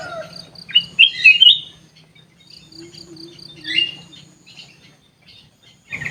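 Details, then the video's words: Sooty-headed bulbul kept in an aviary: a brief burst of loud, clear, warbling whistles around one second, then a softer phrase near four seconds. Quiet gaps separate them, with faint chirps and a high hiss. "kutilang emas gacor cor cor"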